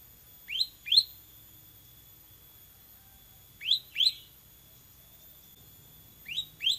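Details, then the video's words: Tutor recording of a 'semi' bar-winged prinia for training caged birds: paired sharp rising-falling chirps repeated every few seconds, high and clean over a quiet background. "MASTERAN CIBLEK SEMI GACOR VOLUME TEMBUS"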